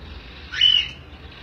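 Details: Cockatiel chicks being fed by their mother, one short bright whistled note sliding upward and then holding level, against a low background hum.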